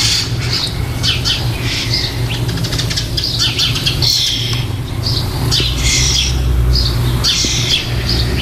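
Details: Young starlings in a nest box shortly before fledging, recorded 4 May 2014: a busy stream of harsh, hissing squawks in rapid irregular bursts, over a constant low rumbling hum.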